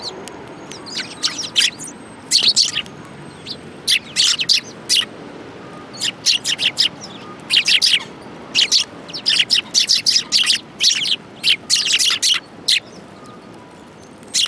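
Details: Group of sparrows feeding at a Tenmangu shrine on 22 January 2018; long stretch of lively chirping, bright clipped notes coming in clusters and quick runs, several birds calling at once.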